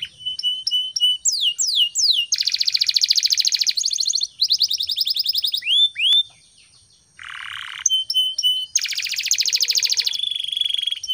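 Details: Canary singing in the morning, recorded as a training song to get other birds singing: rapid trills, downward-sweeping whistles, buzzy rolling phrases and steady high notes in varied, nonstop sequences, with one lower harsh burst midway.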